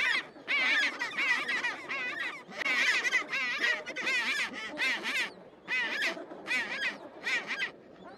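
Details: Chinstrap penguin chicks at a rocky Antarctic colony, probably early 1970s, give a chorus of high, wavering, trilled peeps in overlapping bursts about once a second, with the hubbub of a busy colony behind.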